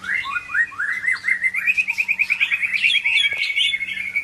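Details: Medan white-rumped shama song: a continuous run of quick rising whistled notes, about three per second, accelerating into a rapid trill of sharp, bright chips.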